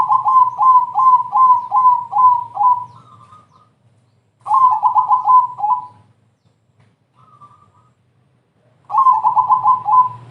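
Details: Crossbred zebra dove singing to lure other doves: three phrases of fast, evenly spaced mellow cooing notes, each ending with a drawn-out higher note. Quiet gaps separate the phrases, and a low hum runs underneath.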